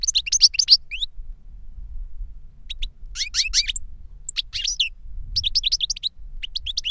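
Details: A caged goldfinch, one of a tutor and young learner pair, sings dense rattling bursts of high twitters separated by short silences, notes coming several times per second within each burst.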